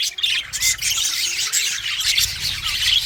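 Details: English budgie warble: continuous high chirping chatter with a few clear rising whistled notes mixed into the scratchy stream of sound.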